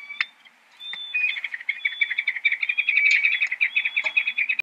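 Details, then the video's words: Peregrine falcon in a fast, sustained chatter of short, harsh, ringing notes, building steadily with a few sharp clicks mixed in. "遊隼/Peregrine Falcon(Falco peregrinus)singing"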